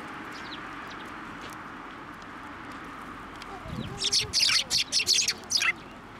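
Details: Sparrows at a Tenmangu shrine on 7 December 2023, flying onto a hand to be fed; a quick burst of bright, high chirps clusters in the second half, about eight sharp notes, over a steady background hum and a brief low voice.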